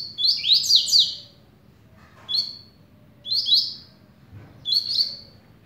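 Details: Double-collared seedeater beginning to sing: bright, high whistled phrases of quick upslurred and downslurred notes, a dense burst at first then short phrases roughly every second and a half, over faint low background hum.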